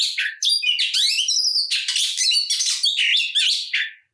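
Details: Oriental magpie-robin's aggressive kacer song to provoke rivals: dense harsh chattering and rattling notes with a sustained whistled tone, rapid and continuous until an abrupt stop.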